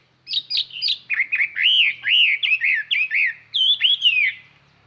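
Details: Clear, far-carrying decoy hwamei song meant to excite and draw in wild birds: a continuous stream of loud, looping whistled notes, each sweeping up and down, delivered rapidly for over four seconds.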